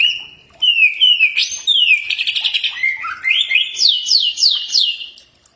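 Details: Common iora song used as a training recording that other birds answer: whistled notes near one pitch, then sliding phrases and a fast rising, repeated series of high, bright notes, continuous for about five seconds.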